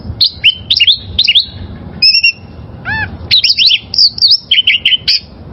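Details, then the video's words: Oriental magpie-robin, a wild-caught bird, singing as a training master for caged birds: varied whistled phrases, sharp rising and falling notes and short buzzy trills in quick bursts with brief pauses. "Masteran Suara Burung Kacer Liyar"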